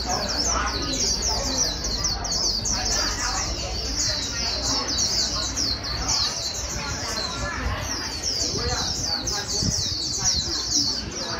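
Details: Unbroken high twittering from a wild-caught white-eye ('bổi') in a fast-singing training track. Quick, tightly spaced sliding notes continue throughout, over low hum and some mid-range noise.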